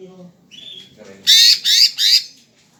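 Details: Greater green leafbird singing energetically, a short whistled note followed by three loud, harsh, buzzy bursts in quick succession, with faint low murmuring in the background.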